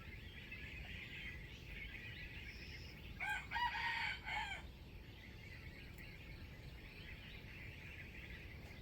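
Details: Wild chicken with a standard crowing voice, kept for trapping, recorded 05/07/2025; a single crow of about one and a half seconds rises out of steady insect and bird chatter and a broad background hiss.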